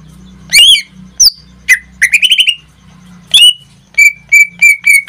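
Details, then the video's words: Caged greater green leafbird in song: varied whistled and buzzy phrases including a fast trill of rising notes, then a closing run of five evenly spaced short whistles, over a low background hum. "Suara cucak ijo suaranya tidak diragukan lagi"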